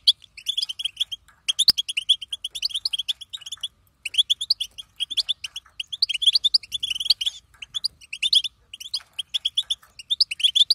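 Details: Batbata chatter of a female European goldfinch, meant to set goldfinches singing. Quick, bright, tinkling chirps run almost continuously in long bursts with a few brief pauses.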